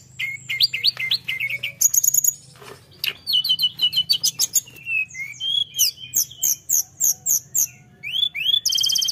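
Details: Full, chatty tledekan song aimed at rival birds: rising whistled phrases, a long series of rapid evenly spaced chirps about three per second, and a closing buzzy burst.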